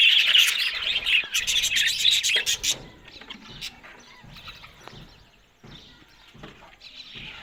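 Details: Australian budgies feeding on green food in the morning: loud warbling chatter for nearly three seconds, then dropping to soft scattered chirps and quiet rustling.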